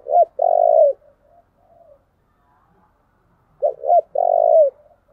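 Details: Spotted dove song meant to lure wild doves, two full phrases about three seconds apart, each with two quick low coos and a drawn-out purring note, with quiet gaps between.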